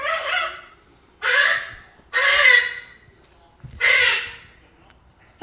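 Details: Pet red-sided eclectus parrot, a 3-year-old male, making noises before bedtime; four harsh, raspy, crow-like squawks, each about a second long, separated by short pauses.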